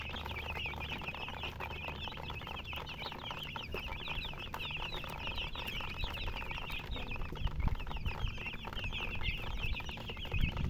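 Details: Many baby chickens peeping at once, high thin chirps tumbling over each other without pause, over a constant low background hum and occasional soft knocks.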